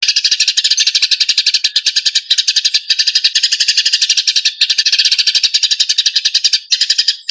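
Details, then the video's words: Eurasian tree sparrow, described as agitated and used as tutor song for training other birds: dense, rapid, harsh chirps repeated about eight times a second in long runs, broken by brief pauses. "GREJA NGAMUK"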